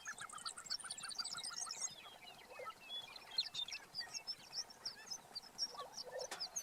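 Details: Lesser prairie chickens displaying on a lek in Kansas on 19 April 2015; faint stacked cackling calls in a rapid series during the first two seconds, then scattered chirps from other birds over a steady background hiss.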